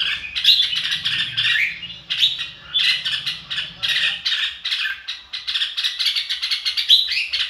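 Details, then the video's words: Red-whiskered bulbul (chào mào) giving a fired-up "ro kích bổi" song: dense bursts of bright chirps and warbled notes, repeated rapidly with short gaps, a faint low hum underneath during the first half. "chào mào ro kích bổi sung theo"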